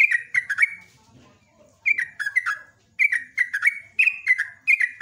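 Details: A yellow-vented bulbul, known locally as trucuk or jogjog, gives a lively long morning song meant to lure other birds. Bursts of three or four bubbly, downslurred whistles come about once a second, separated by short gaps.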